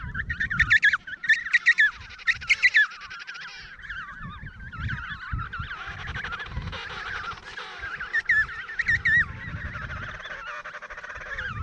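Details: Trumpet-like calls of adult emperor penguins in a noisy Antarctic colony; loud bursts of warbling, quavering notes come early and again near the end, with a softer chorus of other birds between.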